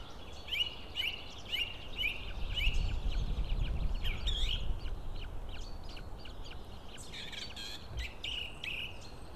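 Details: White-tailed eagles at their Estonian nest during feeding, 16 April 2016: a quick series of high, thin piping notes in the opening seconds, then a low rumbling disturbance and a few more scattered high calls near the end.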